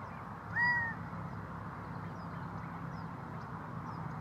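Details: A Gambel's quail gives a little hooting call, a single nasal, slightly rising note lasting about half a second; a low steady rumble and faint distant chirps continue throughout.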